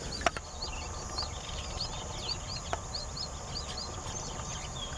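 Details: Streaked weaver (Ploceus manyar) calling, giving a run of thin, high chirping notes over a low rumble of background noise.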